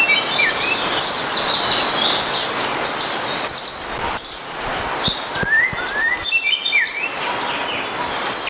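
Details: Malaysian Blue Nuthatch giving scattered thin, high chips and short slurred whistles at an irregular pace, set against a constant hissing forest background.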